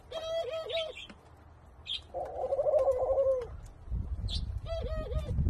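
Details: Senegal dove × ringneck dove hybrid, possibly F2, in Thailand, courting: soft, wavering coos in short bursts with one longer, rolling purr-like coo between them; low thumps and rustling near the end.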